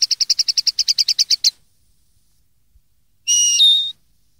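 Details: Common linnet song meant for young birds to learn from: a fast, even run of about fifteen clipped high notes, a pause, then a long sustained whistle stepping down in pitch.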